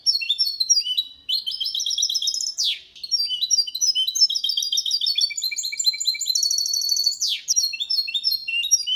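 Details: Hybrid goldfinch with canary performing clean Malaga-version song for training young birds and males: long flowing series of high repeated syllables, steady trills and rolls, broken twice by short sharp sweeping sounds.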